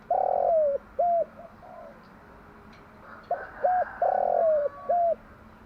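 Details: Morning song of a spotted dove hen, played to train decoy doves to coo: a long coo falling at the end followed by a short one, the pattern repeated after a quiet gap.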